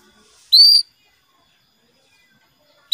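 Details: Female canary calling to the male to prompt his song: one clear, high, upward-slurred chirp, with a second call just starting at the end, otherwise quiet.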